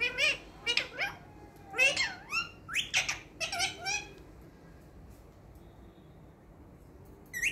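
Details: Talking green parrot at home, imitating speech: about four seconds of rhythmic, voice-like chattering syllables with sliding tones, then near-silence with faint room noise and a brief final squeak.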